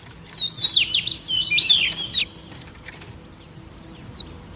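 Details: Female oriental magpie-robin, a kept bird, singing to excite males: a quick tangle of sweeping whistles, then a pause, then one long clear whistle sliding gently down.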